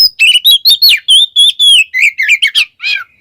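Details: Oriental magpie-robin song meant to lure caged birds into singing: a quick string of about a dozen short whistled notes, most sliding downward, ending in a buzzy harsher note and a thin fading tone.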